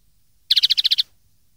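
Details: Common linnet song recorded to teach young linnets to sing: a quick trill of about eight bright, even, high chirps delivered in half a second, clean and uninterrupted.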